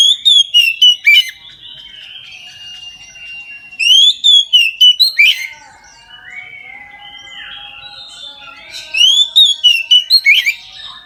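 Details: Midday full song of an Oriental magpie-robin, meant to get other magpie-robins singing: three bursts of loud, clear whistles with quick harsh chips, separated by quieter rambling warbles.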